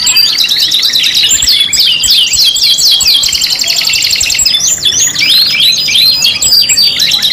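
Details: Canary song from a lure compilation meant to stimulate other canaries to sing: dense high rolling trills and repeated sharp swept notes, a long buzzy rattle, then varied warbling phrases, continuous throughout.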